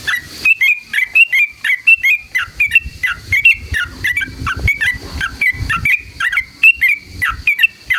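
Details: Yellow-vented bulbul in long, rapid ngalas ropel song used to provoke rival bulbuls: unbroken string of bright, warbling, bubbly chirps repeated quickly for eight seconds.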